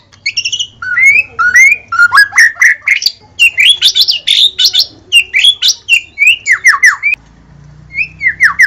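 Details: White-rumped shama (murai batu) in lively, continuous gacor song: rapid run of clear whistled notes, rising slurs and sharp downward chips, phrases repeated with brief gaps, a short pause near the end before singing resumes; faint low hum beneath.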